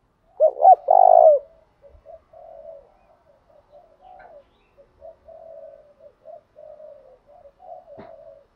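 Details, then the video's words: Decoy spotted dove calling to lure and provoke rival birds: two loud, deep rounded coos open, followed by a long string of soft, short murmured notes at a steady low pitch. "Tiếng chim cu mồi thúc đấu kích bổi hiệu quả/ kích là gáy"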